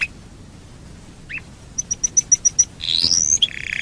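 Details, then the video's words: Domestic canary singing, used as a lure to prompt other canaries to sing: after a faint start, a row of seven quick high ticks at about two per second, then a bright rising whistle and a buzzy trill. "Pancingan burung kenari super ampuh"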